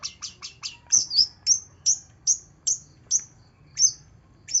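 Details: Long-tailed shrike song on a lure recording for a bird reluctant to sing: four quick scratchy notes, then about ten clear, piercing downslurred whistles spaced roughly every half second.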